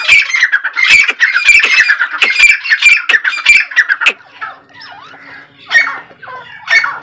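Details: Grey francolin (Ortygornis pondicerianus), possibly female, calls with loud, harsh, squawking notes packed in quick succession for four seconds, then quieter scattered calls and a few softer notes.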